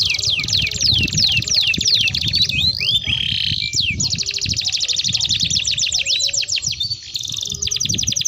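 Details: Canary singing a long rolling lure song for training young canaries: slow falling swept notes, a brief harsh phrase, then a long rapid trill of high repeated notes and another shifting tour.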